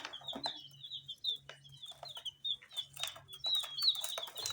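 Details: Several dyed chicks feeding on spicy snack puffs chirp nonstop, thin high peeps tumbling over one another about three times a second, with crunchy pecking clicks between them and a steady low background hum.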